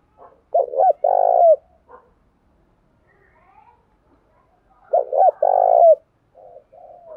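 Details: Tame decoy spotted dove calling vigorously. Two coo phrases about four seconds apart, each two short notes and a prolonged coo, with brief softer coos trailing at the end.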